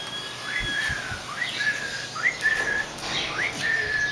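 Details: Emu chick giving a series of clear whistled peeps, each rising briefly then holding level, about one every half second, over a soft hissing background.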